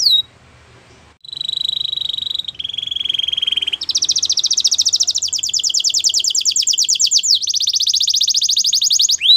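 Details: Canary singing a powerful training song: after a brief quiet start, a held whistle near mid-pitch, then a lower steady note, then long, fast, high buzzy rolls of rapidly repeated notes sweeping downward, continuing to the end.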